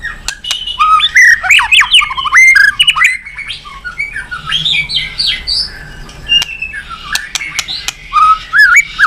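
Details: White-rumped shama singing, used to provoke other birds to sing: rapid jumbled whistles and chattering notes, rising and falling slurs, with quieter warbled passages between louder bursts.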